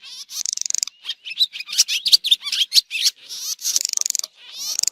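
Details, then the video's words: Swallow calls from 2023: rapid rattling trills alternate with bright, piercing chirps and twitters in quick succession, sometimes overlapping, in a continuous lively chatter. "swallow bird sound"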